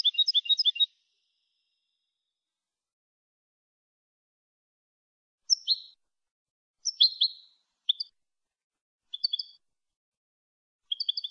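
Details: European goldfinch, Málaga 2020 'copia' contest song for tutoring fledglings: an opening rapid tinkling trill, a long silence, then spaced chirped phrases with slurred high notes and short doubled twitters.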